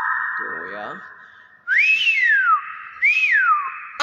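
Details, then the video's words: A common hill myna gives two loud, clear whistles, each swooping up then sliding down, about a second apart, after a steady humming tone. "Suara asli burung BEO"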